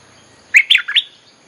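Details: Brief three-note chirpy phrase from a bulbul, a sound used to call in wild birds.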